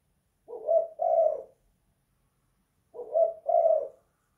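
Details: Spotted dove in a house, 'kuk 2 / guk 1' cooing type: two matching low coo phrases, each a short note followed by a longer rolling one, about two and a half seconds apart.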